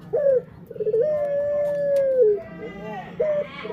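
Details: A male Barbary dove gives its pelung song: short falling coos, a stutter, then one long steady tone lasting over a second that drops at the close, followed by another short coo.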